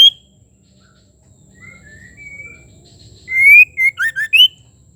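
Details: Female white-rumped shama calling to spur a male to sing: soft distant whistles, then a loud upward-sliding whistle followed by four rapid, clipped whistled notes with bright overtones.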